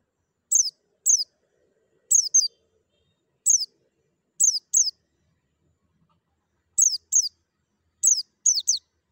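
A white-eye gives thin, very high, downslurred chirps in pairs and short triplets, repeated every second or so with brief pauses; no other sounds.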